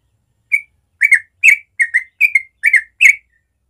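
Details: Yellow-vented bulbul in a natural morning song of the ropel style: seven short bubbly, slurred whistled phrases, some doubled, repeated about every half second, with a quiet background.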